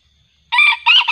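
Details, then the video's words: Junglefowl lured with a decoy, the wild bird getting fiercer; after half a second of quiet, two quick loud hoarse crowing bursts separated by a short dip. "mikat ayam hutan terbaru//pikat sudah tak sanggup lagi,AYAM hutan nya semakin ganas..!!"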